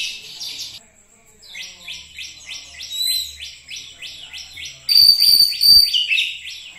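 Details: Oriental magpie-robin (kacer), said to start singing vigorously within minutes: a steady run of short downward chirps about three per second, then louder clear whistled notes and a bright buzzy phrase toward the end.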